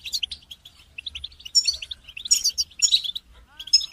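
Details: Chorus of European goldfinches meant to get moulting goldfinches singing; lively high twitters and liquid trills in waves, with a faint lower curved whistle near the end.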